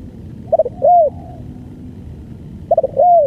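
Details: Spotted dove singing a long-duration song. A triple stutter of short notes leads into a smooth, bowed coo, and the phrase is repeated after about two seconds over a soft low hum.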